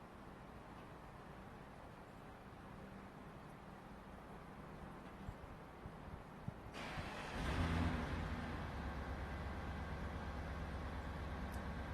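Low vehicle rumble throughout, swelling into a louder broadband roar partway through, with no animal calls audible.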